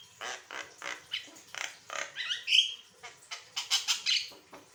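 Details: Asian pied starling song recorded as a master track to stimulate singing in other birds: rasping chatter notes, then a bright upward whistled flourish, followed by more scratchy bursts.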